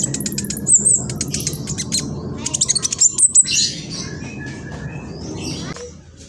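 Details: Young black sunbird in East Java, Indonesia, phone-recorded giving a quick, chittering provocation song; high squeaky chips and brief trills clustered in the first half, then fading to quieter scattered notes over low rumble.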